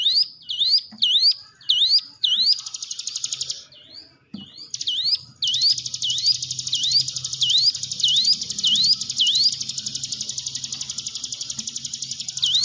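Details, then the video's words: Hill prinia song played as a lure to train silent, timid cage birds to sing: sharp dipping-then-rising whistled notes about twice a second, alternating with a long, dense buzzy trill. "ciblek gunung diam saja kurang loss mental ciut latih dengan pancingan ini"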